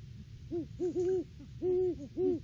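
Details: Male and female Great horned owls duetting during an off-season nest visit, live cam, December 2022: deep hoots in two overlapping pitches, short notes mixed with longer held ones, close and loud.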